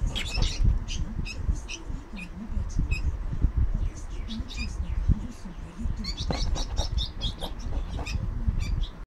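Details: Two young bulbuls, found lost near a roadside and being hand-fed, give thin, high, rapid chirps in short bursts, growing busier toward the end, over loud low rumbling handling noise and a faint murmuring voice.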